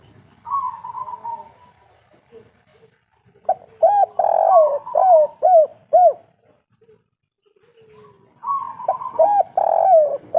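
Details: Spotted dove of local Indonesian stock in the "kuk 3" style: a drawn-out wavering coo followed by a rapid string of curved, hooting notes, repeated twice with a quiet pause between phrases.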